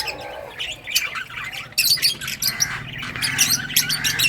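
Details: Several lovebirds of mixed colours giving rapid harsh squawks and shrill chirps, overlapping in dense bursts over a low background hum.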